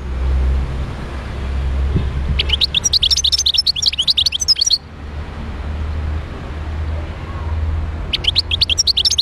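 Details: Wild European goldfinch singing in Médéa: two bursts of rapid, tinkling, twittering notes, the first lasting over two seconds and the second starting near the end, over a steady low rumble.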